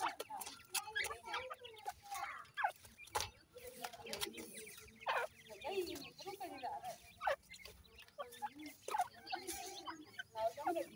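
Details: Captive-bred grey francolin chicks calling steadily over eleven seconds: soft, repeated clucks and brief chirps, some with slight downward slides, interspersed with clicks and scratching sounds.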